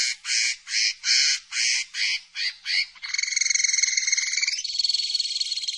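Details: Common linnet song: a run of seven harsh, buzzy notes repeated about twice a second, then a rapid rattling trill that shifts abruptly into a steadier, higher-pitched trill near the end; a clean recording with no other sounds.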